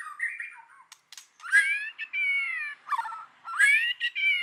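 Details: White-rumped shama singing loudly in forest style, slurred whistles mixed with rasping notes and held tones, a few clicks between phrases.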